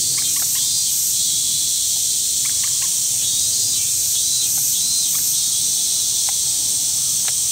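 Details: Swimming common moorhen in Tokyo, Japan, 8 August 2020, calling often for no clear courtship or threat reason; CX430V camcorder. Scattered brief, abrupt clucks, some in quick pairs, sound beneath a dense, continuous high insect chorus.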